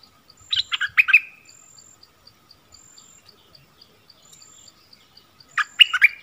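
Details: On 16 March 2021 a bulbul kept as a decoy to draw in wild birds gives two quick bursts of warbling chirps separated by a long pause, with soft regular ticking from insects in the background.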